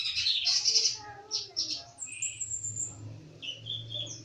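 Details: Common iora (konin) in active song, giving bursts of scratchy, buzzy notes, a long high thin whistle, and short chirps, over a steady low hum with faint voices.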